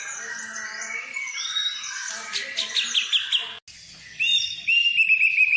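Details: Stimulus song of a white-rumped shama for prompting other birds, packed with filler phrases: high, bright whistles and rapid twittering runs, a sudden brief silence, then sharp repeated high chips and trilled whistles resuming.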